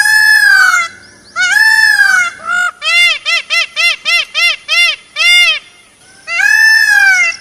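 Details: An Indian peacock (Pavo cristatus) gives loud, nasal, wailing cries, then a quick run of about eight short honking notes, then another long wail.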